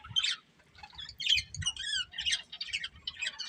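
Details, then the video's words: Breeding pair of budgerigars chirping, a lively mix of short warbles, squeaky chatter and brief whistled notes in quick bursts, with soft low thumps between. "Beautiful Budgies Chirping Sounds"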